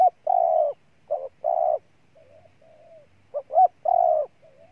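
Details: Spotted dove, Ninh Thuận, Vietnam: two loud, full coos each preceded by a short note, then a quiet, soft, wavering coo, followed by a quick double pip and another long coo.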